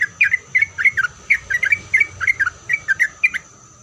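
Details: Song of a sooty-headed bulbul, intended to make other bulbuls answer: paired, bouncy whistled notes in quick succession, each pair slurred, against a low background rumble and a faint high tone.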